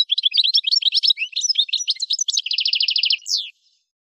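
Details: Algerian goldfinch from Kef El Hammam near Souk Ahras, Algeria, delivering fast tinkling twitters, then an even series of about a dozen rattling notes and a closing slurred note.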